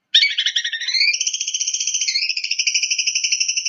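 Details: Provocative song of a long-tailed shrike, opening with a fluttering mixed phrase and settling into a long, even, rapidly pulsed buzzy trill held at high pitch.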